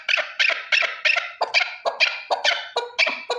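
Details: One male chukar partridge gives loud, rasping, clipped notes repeated roughly three times a second in a steady run, each note broad and slightly buzzy, with no other sounds.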